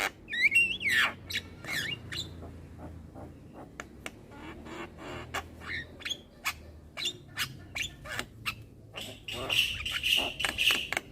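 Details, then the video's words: Young Javan myna nodding and chattering without a break, starting with a wavering whistled phrase, then a long series of sharp clicks and scratchy notes, closing with three short buzzy squeaks. "Ocehan Jalak Kebo Muda Suara Asli Jalak Kebo Manggut Manggut Ngoceh Tanpa Henti"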